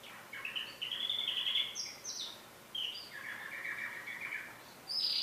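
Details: Singing canary delivering buzzy trills and drawn-out whistles, a long rolling phrase in the middle and high bright notes at the end, with soft background noise.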